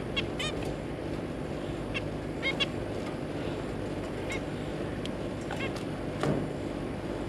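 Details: Zebra finches, a pair with three juvenile babies, kept birds, recorded 3 July 2022: repeated short honking nasal calls, roughly one every second or two, with a brief thump late, over constant low hum.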